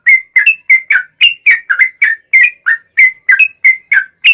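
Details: An energetic yellow-vented bulbul, sung to coax other bulbuls into replying: a fast unbroken chain of about fifteen chattering, warbled notes rising and falling in pitch.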